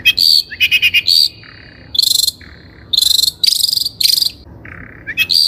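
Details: Long-tailed shrike (cendet) singing vigorously on a lure for training birds: fast high stuttering trills, lower whistled notes and long harsh buzzy rattles in varied sequence.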